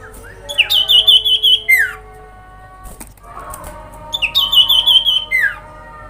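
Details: Common iora lure call in the grincingan style, intended to make other ioras respond: a rapid trembling trill near the top of the range ending in a falling slur, repeated twice with a brief clatter between.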